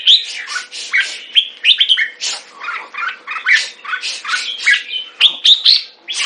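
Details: Red-whiskered bulbul kept as a song bird, delivering rapid runs of harsh chirps mixed with sharp rising whistles, a near-continuous chatter of short notes over a faint steady hum.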